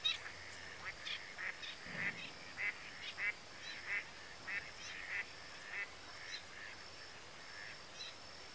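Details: Pin-tailed sandgrouse, an adult male, recorded in late spring 2013 at the Tancat de Milia wetland reserve near Sollana, Spain: a fast series of short nasal notes, repeated roughly every half second, over steady background hiss.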